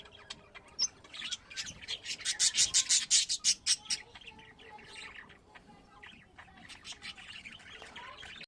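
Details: Pet budgerigars kept at home: a run of loud, sharp chirps repeated about three times a second, followed by softer, continuous warbling chatter.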